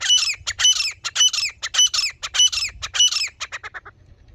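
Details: Harsh, grating phrases of a female grey francolin, known locally as teetar and used to lure birds when hunting, repeated about twice a second before trailing into shorter, fading notes.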